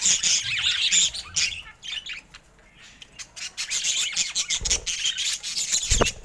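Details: Colourful pet budgerigars chatter in rapid squeaky, grating warbles, fading briefly before resuming, with a few low knocks in the background.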